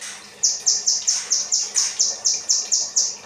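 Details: Cage-bird training material of kinoi 'rambatan' song: after a brief quiet moment, a string of eleven sharp, high, slightly falling notes follows at a brisk, regular pace of about four per second.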